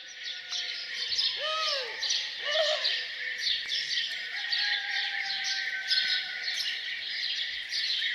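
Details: Birds singing morning songs around a farmhouse: a dense, steady chorus of high chirps and twitters, broken twice by a pair of lower, arched, harmonic notes.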